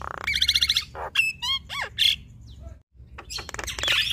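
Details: Male and female Javan mynas duet in bursts: a buzzing rattle, bouncing whistles that drop and rise, a brief pause, then rapid clicks and a harsh chatter.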